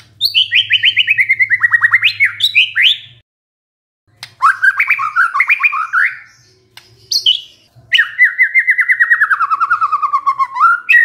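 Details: White-rumped shama song, described as a stressed bird suddenly singing in response to a lure recording: rapid trilled runs that slide downward, broken by brief pauses, then another long, descending rattling trill.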